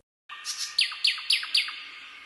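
A bright, high phrase from a Common Nightingale: a short warble, then four ringing, sharply falling notes repeated about every quarter second.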